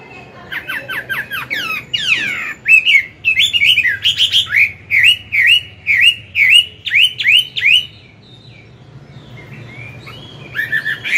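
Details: Chinese hwamei, old and wild-caught, delivering forest-voice morning song for training newly caught birds: quick downslurred whistles, a harsh sweep, then a long regular chain of loud looping whistled phrases before a quiet pause.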